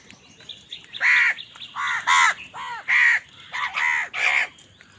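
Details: A steady string of about seven harsh, loud crow caws, roughly one every half second, rises from birds fighting over food.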